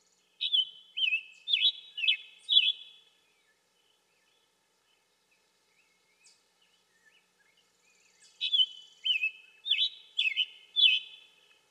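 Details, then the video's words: Scarlet tanager giving two bursts of five or six sharp, slightly burry mid-high notes, about two per second, with a quiet pause between them. "Scarlet Tanager - Bird Sounds"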